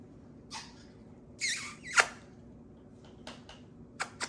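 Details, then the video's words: Macaw flock kept indoors, out for kitchen playtime away from their usual place: several short, harsh, scratchy squawks in uneven bursts over four seconds, one sharper shriek in the middle, with faint room noise. "Kitchen Playtime 4D Caws ep 40 | Macaw Parrot Flock Change of environment Keeps The Parrots Happy."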